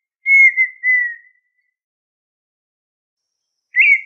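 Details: Two drawn-out, clear whistles from a red-winged tinamou hold a steady pitch and then trail off. After a long silence, a sharp rising note opens the next phrase.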